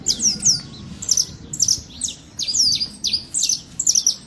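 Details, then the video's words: Saffron finch in nature singing clear, high down-slurred tweets repeated about twice per second, each note sharp and ringing, over a soft low hum. "Canário da terra livre na natureza"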